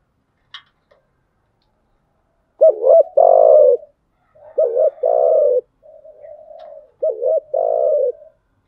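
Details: Female decoy spotted dove cooing to rouse newly caught doves, in 'thúc gù' and 'gáy gọi' styles: a faint tick, then three low paired coo phrases, each a short double note followed by a longer steady coo, with quiet pauses.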